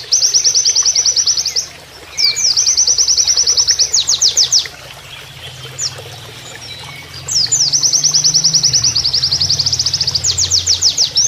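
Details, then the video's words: Canary-imitating Oriental white-eye song used for training other birds: long, fast, high trills of repeated chips ending in loud downward sweeps, two extended runs separated by a quiet stretch of flowing water. "MASTERAN PLECI NEMBAK KENARIAN"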